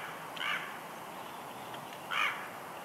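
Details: Bald eagle female on her nest at Big Bear Lake, California, in March 2021, whining softly as the male brings a headless fish; two separate thin, high, slightly rising whines about two seconds apart over steady hiss.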